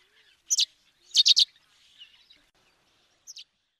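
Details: African sparrow: a doubled chirp, then three quick loud chirps in a row, followed by a fainter double chirp after a quiet gap.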